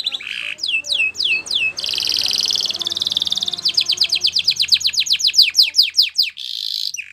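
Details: Canary training song with a short buzzy note, a few descending whistles, a long sustained rolling trill, then a run of rapid falling sweeps accelerating and a final buzzy burst; faint background hum.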